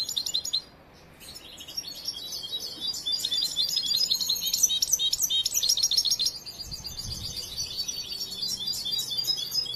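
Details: European goldfinch, a young trainee bird not yet finished in its song, starts after a short pause with a sustained, dense, high twittering of liquid chirps and trills.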